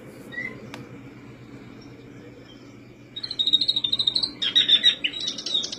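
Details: Black-browed reed warbler lure song to make birds sing: near silence for three seconds, then a quick, squeaky, scratchy chatter of high notes rises in intensity until the end.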